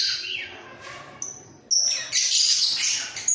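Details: Caged breeding pair of budgerigars bobbing their heads: soft chatter at first, then sharp whistled squeaks and a loud burst of gritty warbling.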